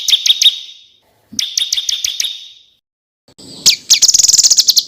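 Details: Small bird singing on a contest bird training compilation: two short bursts of staccato chips over a buzzy tone with pauses between, then a rapid high trilling series.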